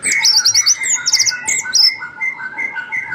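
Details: Orange-headed Thrush, a contest songbird whose appeal is hard for other songbirds to match, gives bright whistled trills and slurred high notes over the first two seconds, with a steady lower tonal hum running beneath.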